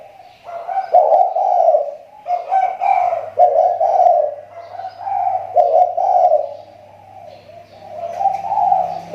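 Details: Lure-bird spotted dove whose call is improving again after weakening: rolling, throaty coos in multi-note phrases about every two seconds, with a steady low hum in the background.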